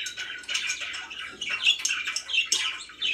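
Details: Pet budgies chirping, hurried scratchy twitters and short squeaky notes tumbling over each other, louder chirps popping out near the end.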